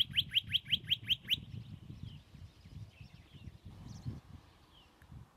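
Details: Western rock nuthatch (Sitta neumayer), one of a pair nesting on crags above Agios Germanos, Greek Prespa, recorded from a distance, gives a rapid series of about seven sharp, bright rising notes in just over a second, then softer scattered chirps over low rumble.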